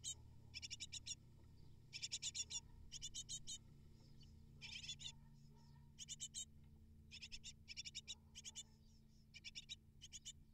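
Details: Great tit chicks, eight nestlings, begging as parents deliver prey; short bursts of quick, high, buzzy chirps recurring every one to two seconds, steady low hum beneath.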